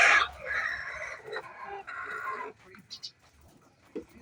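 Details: Chicken calling before laying eggs: a sharp, loud opening squawk, then two drawn-out, harsh, nasal notes, followed by quieter scattered sounds and brief high chirps.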